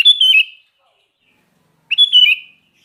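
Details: Kutilang or sooty-headed bulbul giving two matching bright whistled phrases nearly two seconds apart, each a quick rise followed by a downward slur.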